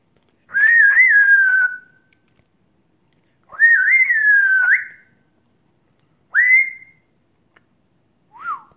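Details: African grey parrot, over a year old, whistling during a chat with its owner: two long wavering whistled phrases, a short rising whistle, and a soft downslurred note at the end.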